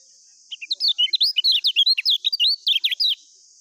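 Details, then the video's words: Ngejos-style song of the lemon-bellied white-eye (kecial kuning) for training new birds: a hurried string of bright, high, zigzagging notes for about two and a half seconds over a faint steady hiss. "SUARA BURUNG KECIAL KUNING FUL NGEJOS"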